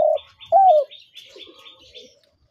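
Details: Spotted dove giving a long falling coo after a clipped note, while another bird chirps high and repeatedly in the background.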